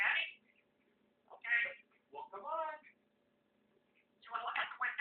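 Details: Pet African grey parrot, said to know over 300 words and speak in full sentences, talking indoors: short bursts of humanlike speech syllables separated by pauses, with a faint steady hum in the background.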